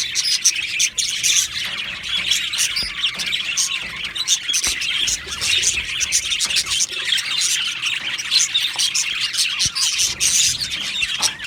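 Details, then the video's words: Australian budgie colony in an aviary, a dense and unbroken chorus of shrill chirps, squeals and rapid warbling from many birds, loud and steady throughout. "Budgie birds Chirping sounds"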